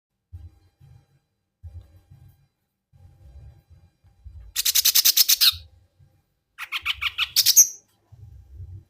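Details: Mini green leafbird giving an unusual sound: two harsh, rapidly pulsed buzzy bursts of about a second each, the second ending in a brief whistled note. Low dull knocking sounds are heard throughout.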